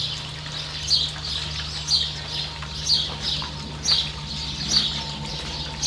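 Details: In New Zealand, a Variable oystercatcher beside its chick utters repeated shrill high pips, some doubled, roughly once a second, with steady low background hum.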